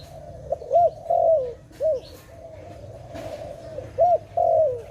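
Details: Dove heard where birds are trapped, giving paired phrases: a short arched coo followed by a longer purring note that slides downward, then a brief arched coo, repeated after a pause.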